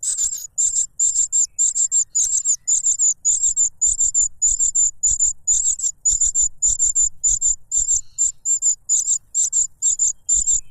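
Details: Cuckoo chick noisily begging while grabbing food from its foster parent, which stuffs a butterfly into its mouth; shrill, buzzy high bursts repeated rapidly and steadily, about two per second, with soft low thumps beneath.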